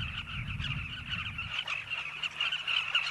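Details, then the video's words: Dense, constant chorus of a nesting colony of migrant Southern carmine bee-eaters in river banks, South Luangwa National Park, Zambia: many overlapping throaty, rolling mid-high calls, with a low rumble that fades after the first second and a half. "Southern Carmine bee-eater colony"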